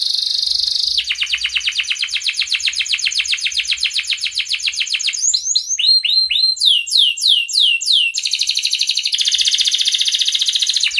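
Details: Breeding-condition canary calling a rival, used to teach young canaries: long fast buzzy trills of tightly repeated notes, broken midway by a burst of quick downward sweeping chirps, then another dense trill.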